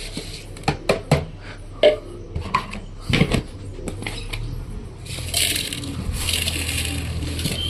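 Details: Clattering of dishes and small objects, with brief speech and handling noise indoors, and no animal voices.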